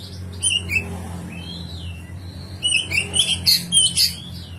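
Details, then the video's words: Rough fill-in song (isian kasar) of a kacer, or oriental magpie-robin, played as training: a few sharp whistles, then a dense run of high chirps and squeaky notes, low hum behind. "SUARA BURUNG KACER ISIAN KASAR"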